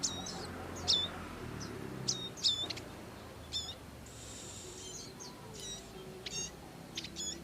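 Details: Bar-winged prinia parents caring for their young in the wild: sharp, high chirps in loose bursts, some doubled, with a brief buzzy rasp midway and a low rumbling background.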